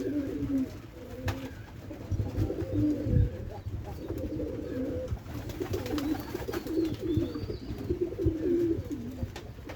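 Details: Loft-kept white pigeons, three birds, cooing steadily: deep burbling coo phrases repeated throughout, with low thuds and rustling from movement and faint high bird calls behind.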